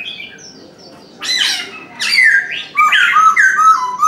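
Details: Chinese francolin calling in the morning: loud harsh, rasping notes in bursts, ending in a quick run of short, strained syllables that rise and fall, with faint cooing from other birds beneath.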